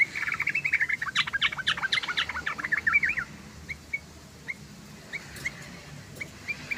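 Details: Lively yellow-vented bulbul song used as a lure for its own kind: a dense three-second burst of rapid, gurgling warbles, then scattered single short chirps spaced about a second apart over quiet background noise.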